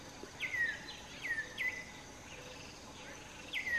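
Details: Wild African emerald cuckoo in southern Africa, calling from a song post to advertise itself or attract a mate; a series of clear downward-slurred whistles, some in quick pairs, with soft insect-like hiss in the background.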